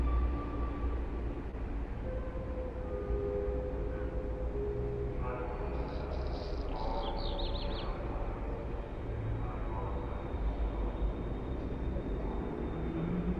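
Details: A black redstart recorded at King's Cross, London, in 1996 gives one brief, high, scratchy song phrase with a crackling ending, half-buried under the steady low rumble of city traffic and trains.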